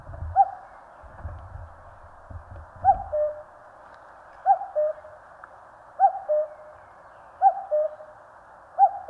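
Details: In Korean mountains a common cuckoo repeats its mellow two-note cuckoo about every one and a half seconds, a higher note dropping to a lower held one, five or six times. A low rumble is heard early on.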